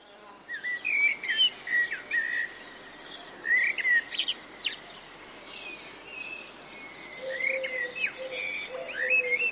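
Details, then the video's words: A European robin sings short, varied warbling phrases with quick trills, separated by brief pauses; faint buzzy background sounds and a low steady tone near the end. "ℙ𝕠биℍ птичка певчая"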